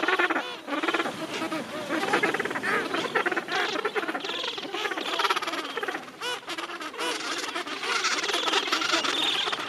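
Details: Breeding colony of Gentoo penguins, thousands of fish-eating birds in a crowded rookery at summer's end. A dense, continuous chorus of overlapping, harmonic, braying calls from many birds, with no pauses.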